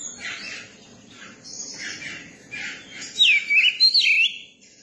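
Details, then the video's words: Young Oriental magpie-robin, tame around people, singing: after soft, murmured warbling, a short burst of loud, clear whistles sweeps down and up, twice in quick succession near the end. "tiếng chim chòe than bổi hót"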